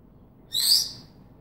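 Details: African grey parrot gives a single piercing, very high whistle-screech, about half a second long, steady and bright with layered overtones, in otherwise quiet surroundings.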